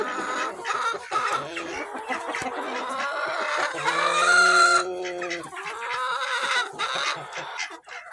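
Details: Barn chickens of mixed breeds, including Plymouth Rock, Bielefelder, Australorp, Wyandotte, Leghorn, Brahma, Sussex and Rhode Island Red hens and roosters, cluck and squawk over one another, with a drawn-out crowing call near the middle; recorded July 24, 2023.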